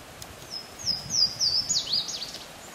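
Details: Louisiana waterthrush recorded 27 April 2014 at Pond Road, Windsor State Farms, Vermont: a high ringing song of clear downslurred whistles, tumbling into a quick descending chatter at the end, with a hiss of outdoor noise beneath.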